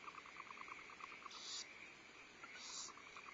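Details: Barn owl family in the nest at Starr Ranch, 14 February 2011, female feeding owlets, male bringing prey; rapid ticking chatter, about a dozen pulses per second, interrupted by two loud breathy hisses.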